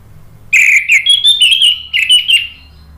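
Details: A dense two-second burst of sweet, slurred whistles rising and falling, from an Orange-headed thrush. Indonesian bird keepers play this lure sound to stir birds into answering and singing.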